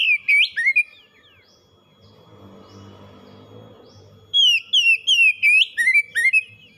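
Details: Pet oriental magpie-robin kept in a cage, singing loud, clear slurred whistles in short bursts at the start and end, separated by a quieter stretch with low rumbling background noise.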